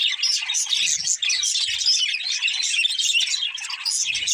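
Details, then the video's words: Pet parakeets chattering cheerfully, an unbroken wash of rapid high chirps, warbles and scratchy twitters from several birds at once, steady in loudness. "Budgies Chirping Sounds | Happy Parakeets Sing and Playing"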